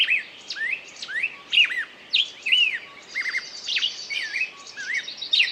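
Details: Birdsong of curved whistled notes, some dipping sharply then rising, mixed with quick high chirps and a faint sustained trill behind them.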